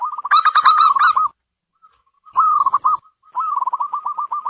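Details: Local perkutut, or zebra dove, delivering a bright ringing cooing phrase, a shorter burst after a gap, and a final run of quick, descending-then-steady staccato coos.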